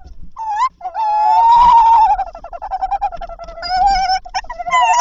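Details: Tawny owl during a nocturnal prey handover, night of 7–8 April 2023, when the male brought three prey items before 1 am. A long, wavering, harmonic call holds steady and slightly rises, with short breaks and a faint knock.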